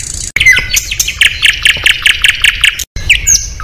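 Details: Competition Oriental magpie-robin delivering fill-in song phrases meant to unsettle rivals on the same contest pole: sharp sweeping whistles, then a fast series of evenly repeated harsh notes, briefly cut off, ending in rising and falling whistles.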